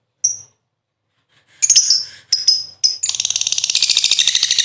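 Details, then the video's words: Lovebird lure sound to start birds singing: a thin whistled note, several sharp squeaky calls, then a rapid, steady stream of clipped chattering notes running to the end. "Burung Lovebird ll Pancingan Suara 5 detik Langsung Gacor"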